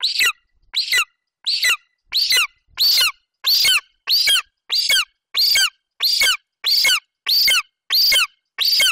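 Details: Young male golden eagle at a Bucovina nest on 27 July 2021, standing over a Eurasian hare delivered by the mother and calling. He gives repeated shrill, downward-curving squeals, about fourteen in nine seconds, evenly spaced.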